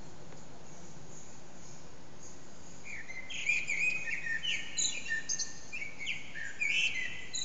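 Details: Blackbird singing early morning around 4:40am, unseen in an echoing backyard, phone recording: quiet hiss for three seconds, then a string of mellow whistled phrases capped with high scratchy twitters, several per second.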